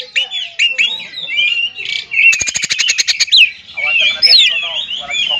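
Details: An oriental magpie-robin sings a song meant to provoke rival magpie-robins into singing. Varied whistled and scratchy notes are split by a fast, buzzy rattling trill in the middle, and a lively warble follows.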